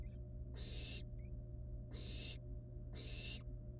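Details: Wild barn owl nestlings with a living rat at the nest give three long rasping hisses about 1.2 seconds apart, with brief faint high squeaks early on and an electrical hum throughout.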